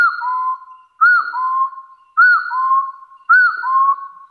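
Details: Wild hill partridge giving its challenge call to rivals: each phrase opens with a short arched whistle and runs into a long, steady, level whistle, repeated about every 1.1 seconds, four times. No other sounds.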